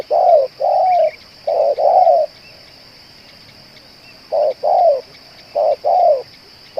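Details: Spotted dove used as a decoy for bird trapping, a bird that keeps calling and cooing for two hours: low mellow coos in three paired bursts, a short note then a longer falling one, over quiet background with a steady high hum.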